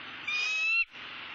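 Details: Bald eagle calling at a nest in Southwest Florida, caught by a live nest camera as the male brings a soft-shelled turtle to the female; a single thin, steady whistled note about half a second long, then quiet background.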